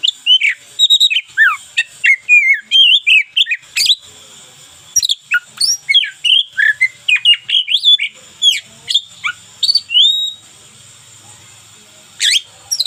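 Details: Oriental magpie-robin of local type in full, lively song used as daily tutor material: a rapid, dense run of varied whistles, chips and rising and falling slurs, then a pause and a final burst.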